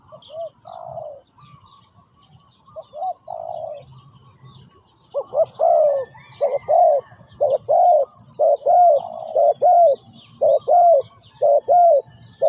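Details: Spotted dove giving soft, hesitant low coos at first, then a fast run of loud paired coos, a short note followed by a longer falling one, repeated about every second. A buzzy high insect-like trill and distant bird chirps sound behind.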